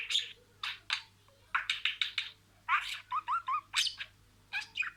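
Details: Budgerigar kept as a pet, speaking imitated words: separate scratchy syllables in short groups, then three quick rising whistled notes and more raspy bursts.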